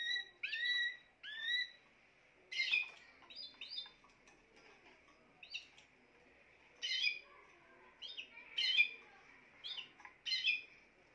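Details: Spanish timbrado canary song made of short whistled, upward-sweeping notes and brief trilled bursts, scattered irregularly over eleven seconds against a quiet background hum.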